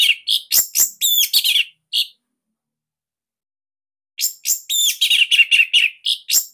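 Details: Song of a captive orange-headed thrush from Bali, used as teaching material for other thrushes: fast, loud phrases of high whistles and chirpy notes, broken by a pause of about two seconds before another dense, scratchy-whistled run.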